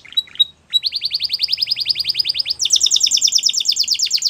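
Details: Belgian canary song: a few short high notes and a brief pause, then a long, steady, rapid rolling trill that jumps into a higher, brighter, faster chatter near the end.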